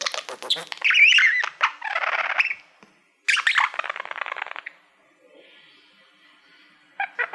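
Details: Pet male budgerigar singing to a mirror-like play button, a bird that loves mirrors: chattering warble of buzzy bursts and short squeaky notes, broken by a pause near three seconds and a quiet stretch after five.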